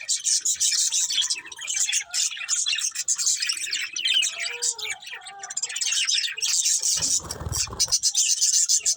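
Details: Breeding pair of budgerigars chirping continuously: dense, buzzy warbling chatter with high scratchy notes, brief pauses, and a low thump near the end.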